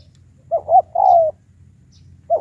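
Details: High-pitched lure spotted dove calling to draw wild doves into a contest: two short hooting notes, a drawn-out descending coo, then a quiet gap before the next phrase begins.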